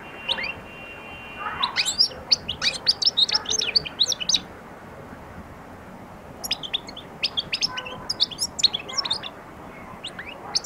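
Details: European goldfinch starting to sing and attack: bursts of high, thin, tinkling twitters and quick chirps in two runs, with a short quiet gap in between.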